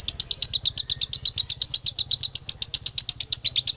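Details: Male lovebird from Ciamis, Galendo bloodline, delivering a dobelan: crisp, high, clicking chirps fired in a tight, regular series of about seven per second, clean and uninterrupted.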